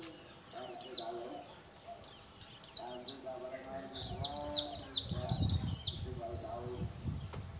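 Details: Local-variety Oriental white-eye in full song: repeated bursts of very high, sweet, falling notes in fast chattering clusters, several phrases in a row, with soft low background rumble toward the end.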